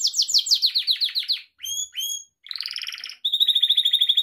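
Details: Gloster canary singing for pet canary training, fast falling chirps giving way to two thin whistles, a buzzy warble and a steady rapid trill at the end.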